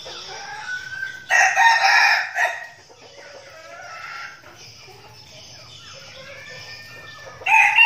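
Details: Group of decoy red junglefowl training before going into the forest. A strong, rasping crow comes early, then softer overlapping crows and calls from other birds follow, and a new loud crow starts at the very end.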